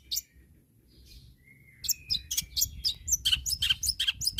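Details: Long-tailed shrike calling rivals over a low background rumble: a thin drawn-out whistle and faint chips at first, then a rapid jumble of harsh, scratchy and squeaky notes growing louder.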